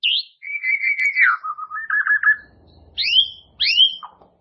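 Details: White-rumped shama song used as a training recording for caged birds: clear whistled phrases, a falling slurred note into a rapid chattering run, then two bright upswept whistles and a short descending note.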